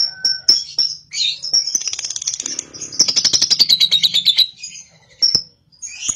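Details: Cobalt lovebird, young and caged, with high chirps leading into a rapid pulsed ngekek trill that slides slightly downward over about two seconds, then brief whistled chirps and a faint hum.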